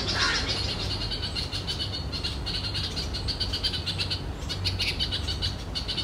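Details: Red-vented Bulbul mother alarming as her first-time fledgling hops around on the ground; quick, grating high-pitched pulses in series over a steady low hum.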